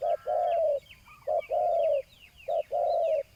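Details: Spotted dove decoy on the ground, luring a rival, repeats a two-part coo: a short note, then a long drawn phrase. The pattern comes three times. Sweeping whistles of other birds and a faint background hiss accompany it.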